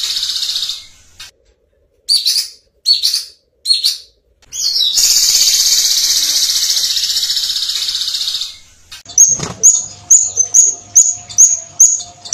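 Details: Violet cuckoo, starting with a few short, separate high buzzy bursts and then a long, fast, dense trill lasting about four seconds. It ends in a series of sharp, high upslurred whistles, repeated about twice per second.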